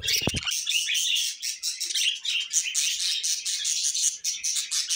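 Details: Pet budgerigars producing a loud, continuous high twitter of rapid scratchy chirps, with a short low thump at the start.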